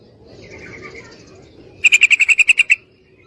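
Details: Female yellow-vented bulbul calling a male to mate: a faint soft whistled phrase, then a loud series of about ten quick, sharp chattering notes over roughly one second.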